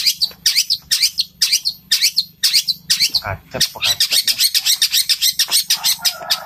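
Long-tailed shrike giving harsh, squawky sparrow-like chirps in fast bursts, speeding to about three or four per second, with a brief lower rasping note near the end.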